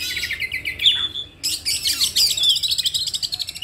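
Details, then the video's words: Oriental magpie-robin, used to provoke other magpie-robins into singing; loud, high chattering and whistled phrases, rapid repeated buzzy notes and sweeping slurs with a brief pause near the middle. "PANCINGAN KACER JAWARA !!! SEKALI PANCING LANGSUNG COOR 00% JITU"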